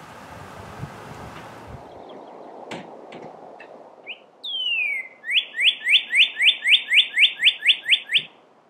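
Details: Cardinal calling for a mate in spring: after low rumbling and a few clicks, a short whistle, a long downslurred note, then about twelve loud rising whistles repeated evenly, four per second.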